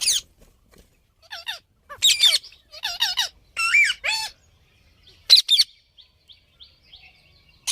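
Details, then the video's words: Parrot giving harsh, raspy squawks in short bursts with uneven gaps, some notes bending downward, with near silence between calls. "Parrot Making Noises"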